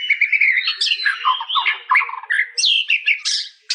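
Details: White-rumped shama song, a rich, varied run of quick whistled phrases and chattering notes, some rising and some falling, in close succession without pause.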